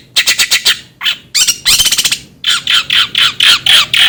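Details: Long-tailed shrike giving a quick run of rasping notes, a dense harsh grating burst, then a steady series of loud scratchy squawks about four per second.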